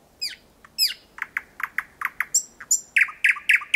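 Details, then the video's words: Thrush nightingale at close range, 4 to 5 metres, singing after 01:00 on the night of 8 May 2020 in Kiili parish. Varied phrase: two high falling notes, a string of knocking clicks, then clear whistles and rapid harsh repeated notes. "Ööbik väga lähedal laulmas"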